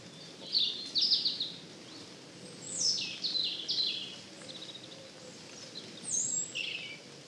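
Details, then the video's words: European robin song, in a forest: three high, thin phrases of tinkling notes and quick descending trills separated by pauses of a second or more, following the robin's short alarm call. "Ah voilà, le chant du rouge-gorge."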